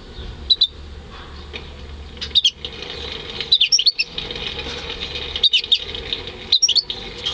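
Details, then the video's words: Homebred European goldfinch × canary hybrid singing in May 2015, with no male canary kept: short clusters of high, sharp twittering notes repeated every second or two against constant hiss and low hum. "Saka Melezi Ötüşü"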